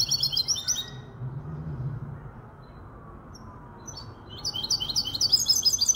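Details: Five-month-old goldfinch and Malaga canary hybrid from Casablanca sings high twittering phrases, a burst at the start, a pause of quiet, then the song resumes over a low steady hum.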